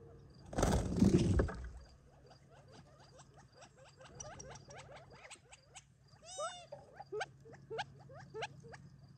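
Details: Gambel's quail flock feeding on favorite treats in July 2021 on family property near Tularosa Creek, before retreating for the night; a loud thump, then a stream of short upslurred chips and one harmonic, wavering call, over a steady low hum.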